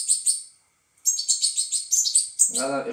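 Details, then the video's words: European goldfinch chicks being fed: rapid, high thin chirps in quick bursts, a short pause near the start, then a steady run of sharp tweets, with a man's voice breaking in at the end. "إطعام فراخ الحسون"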